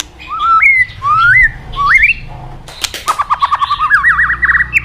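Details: White-rumped shama, used as a tutor for other shamas, singing loud rising whistled slurs in three phrases, then after a burst of clicks a rapid chattering run of repeated notes climbing in pitch.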